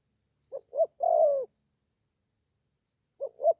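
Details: Young spotted dove newly begun calling, on its first training trip into the forest: one full phrase of two short notes and a long dropping coo, then the opening two notes of another phrase.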